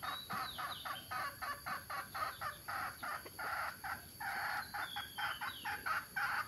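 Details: Adult mixed-breed junglefowl, both sexes, at Tha Som in Nam Som, Udon Thani, giving loud harsh notes repeated about three times a second in a steady run, with brief gaps and a faint background hiss.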